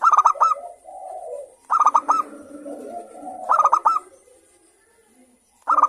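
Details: Local zebra doves, kept birds, several singing and answering one another as a lure to stimulate others to sing: bursts of three or four rapid, clipped, ringing coos, with softer lower trilling coos between the bursts.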